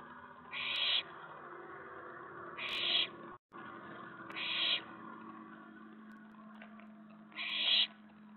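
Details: At night on 19 May 2017, an owlet in its nest box grows excited as an owl reaches the tray after a mouse delivery; four short rasping screeches spaced about two seconds apart over a low steady hum.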